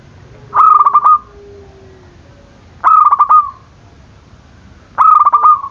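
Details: Zebra dove call meant to provoke rivals; three loud, clear trilled coo phrases, each a quick stutter into a sustained purring note, spaced about two seconds apart over a quiet background.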